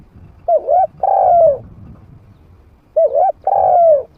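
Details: Medium-voiced decoy spotted dove, trained to call in wild doves that come to fight without fleeing. Two coo phrases roughly two and a half seconds apart, each a wavering double note followed by a longer falling coo, over faint low background rumble.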